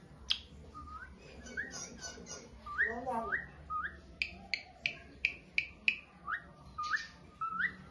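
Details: Asian pied starling, a beginner bird, in a masteran tutoring recording: short upslurred whistles repeated roughly every half second, some with a buzzy edge, over a steady low hum and background noise.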